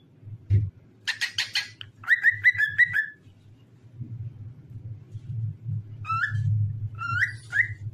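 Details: Cockatiel song meant to get other cockatiels singing; a buzzy chatter gives way to a run of repeated clear whistles, then after a pause three more rising whistled notes, low rumbling in the background.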